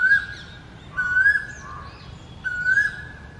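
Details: Asian koel male on a ficus tree in India, singing in his territory ahead of the summer breeding season: three loud, clear whistled notes, each swelling and rising slightly, about a second apart, with softer chirps from other birds above.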